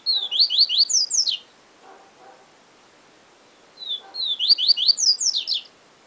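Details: Yellow-bellied Seedeater (Sporophila nigricollis) singing two quick phrases of high, bright down-slurred notes, each a rapid run of about eight notes, separated by a few seconds of near-silence.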